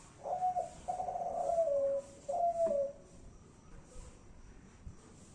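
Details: Spotted dove of the Kelantan type cooing: a short low note, then a long steady hollow coo that slides downward, followed by a shorter falling coo, then a quiet stretch with faint background hiss.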